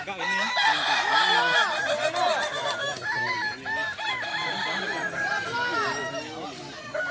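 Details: Crowing contest of Kukuak balenggek chickens at Sirukam dairy farm in Solok regency: a steady, thick chorus of many arching, quavering rooster crows sung over one another, with soft voices behind.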